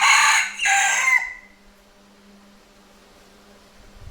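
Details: Cockerel crowing at midday, one harsh, raspy crow in two parts with a trailing downward tail, then steady low hum for the rest of the clip.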